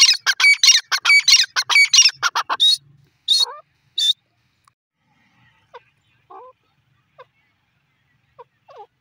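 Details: Grey francolin calling: a rapid run of loud, harsh, ringing notes, about ten in two and a half seconds, then a few separate bursts and faint scattered notes fading into quiet.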